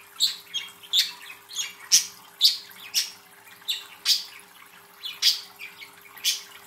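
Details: Two pet budgerigars kept in a cage at home, recorded 12 November 2024: short, sharp, high chirps repeated about twice a second in an uneven chattering series, with a faint steady electrical hum.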